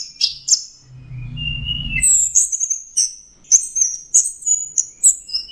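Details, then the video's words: Varied song of a punglor thrush recorded for training other songbirds, mixing imitated phrases. Two loud chips, a long whistle over a low rumble, then high thin notes stuttered in a fast series. "Masteran Punglor Teler Gacor Full Isian Kombinasi Tembakan"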